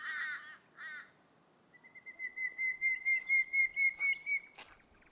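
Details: At Uluru in Australia's Red Centre outback, a Torresian crow, louder, bassier and more varied than the little crow, gives two harsh nasal caws, followed by about a dozen rising whistled notes from another bird.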